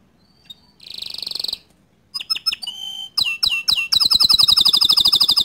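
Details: Canary singing to provoke other canaries into song: a short high note, a buzzy trilled burst, sharp separate chirps, then a fast bright trill of evenly repeated notes building toward the end.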